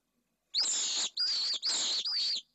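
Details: At a nest camera in Jerez de la Frontera, Spain, a female pallid swift walks into the nest while four shrill, rasping screams follow in quick succession, each harsh and buzzy, against silence.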